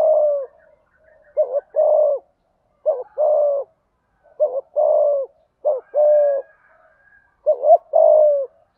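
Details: Spotted dove in 'thúc gù' urging style with a 'giọng thổ' voice, used to provoke other doves into calling: repeated low coo phrases of a quick double note and a drawn-out falling coo, about six in a row.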